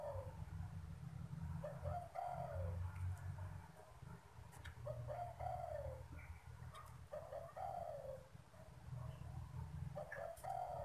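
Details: Spotted dove, kept as a cage bird in Vietnam, cooing when strangers approach; soft, low, hoarse coos in repeated phrases that fall slightly in pitch, several phrases over eleven seconds, with constant low rumbling background noise.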